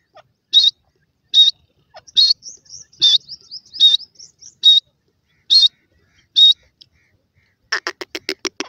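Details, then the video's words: Grey francolin chicks playing in the grass give loud, high, clipped peeps about once a second, followed by a short burst of rapid broadband pulses at the end. "baby pheasant play and talk in the grass,bird baby dakhni teter"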